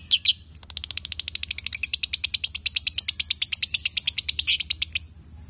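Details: Male and female lovebirds sing a long, fast chattering series of sharp, high notes, about three per second, running steadily for nearly five seconds after a few opening chirps, over a low background hum.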